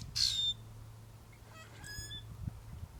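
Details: Common Grackle, busy searching for food, answers its mate's calling with a loud, squeaky, harsh call; fainter, shorter squeaky notes follow after about a second and a half over a low background hum.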